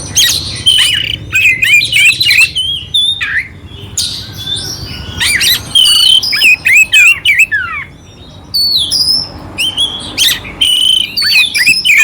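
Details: Clear oriental magpie-robin song with rough, harsh filler notes, used to rouse a quiet magpie-robin; bright whistles and slurred phrases alternate with buzzy squawks and quick chattering bursts.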